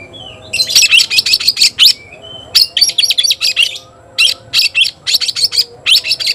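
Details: White-rumped shama, kept as a cage bird, giving loud challenge calls to an opponent to fight: rapid bursts of sharp, high chirping notes in clusters, with brief pauses between groups.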